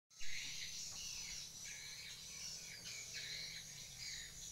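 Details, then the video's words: Swiftlets chatter at a swiftlet house in a busy stream of short, high, buzzy chirps that overlap and repeat without pause, over a steady low hum and a faint thin tone. "Suara kicau burung walet"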